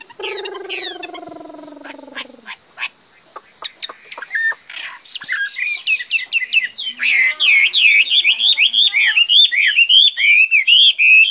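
A Chinese hwamei sings a loud, varied song that opens with a long falling harmonic note, then runs into rapid, repeated slurred whistles, almost three phrases a second.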